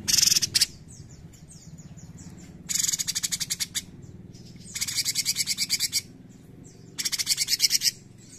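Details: Actively singing cucak cungkok bulbul: four loud, grating rattles of quick repeated pulses roughly every two seconds, interspersed with faint falling whistles from other birds.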